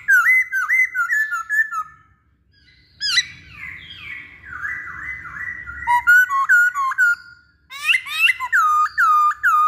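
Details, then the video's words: Long masked laughingthrush lure song to encourage other birds to sing. Looping whistled phrases rise and fall, then a descending buzzy glide, then rapid clipped notes ending in repeated hooked whistles. "Pancingan Poksay Hongkong"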